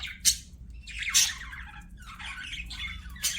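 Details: Budgies singing as they play, sharp scratchy squawks alternating with longer chattering warbles that swoop down in pitch, uneven in rhythm, with a faint low hum beneath.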